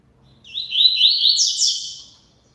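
A double-collared seedeater sings one quick, high phrase of about a second and a half: a run of bright, slurred notes that rise and tumble over each other.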